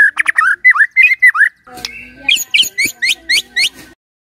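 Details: Morning White-rumped shama song played to trigger a silent shama: short whistled notes and dipping slurs, then a harsh buzzy stretch with rising sharp notes repeated several times a second.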